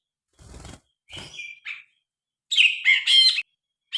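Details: Grey-cheeked bulbul, recorded by phone, with soft wing-flutter noise at first, a short whistled note, then loud harsh chattering bursts.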